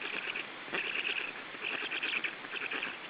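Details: Black stork chicks in their third week of life, being fed at the nest in Estonia on 14 June 2013, give a steady run of wheezy, hissing begging notes in quick overlapping bursts over rough background hiss.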